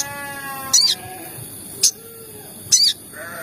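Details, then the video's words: Lure recording of the crimson sunbird, meant to excite other sogon birds to call: three short, piercing high chirps about one second apart, with faint lower drawn-out whistles and a steady hiss between them. "PANCINGAN TERBARU MERANGSANG SEMUA SOGON AGAR CEPAT BUNYI || SEKALI PUTAR CUIT CUIT SOGON EMOSI"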